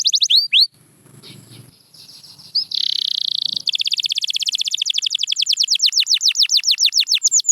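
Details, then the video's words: Canary singing, offered to get quiet canaries singing again: a few looping whistles, a short gap with faint noise, a buzzy trill, then a long accelerating series of rapid descending whistled notes. "The Secret Sound That Brings Back Any Quiet Canary"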